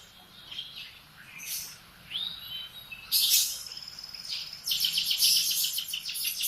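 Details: Morning song of a canary, beginning with scattered thin chirps and sweeping notes, then loud buzzy trills and a long rapid rattling phrase at the end.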